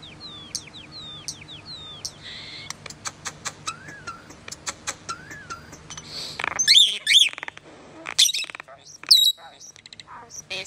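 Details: Common starling singing a jumbled medley: descending whistles, a buzzy patch, two wavering mid-pitched notes, rapid clicks and loud, sharp high squeals.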